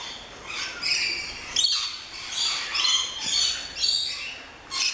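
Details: Rainbow lorikeets in a lory garden at an orchid farm in Luttelgeest, Netherlands, a noisy flock: repeated short shrill screeches and buzzy squawks coming in bursts about every second over constant chatter.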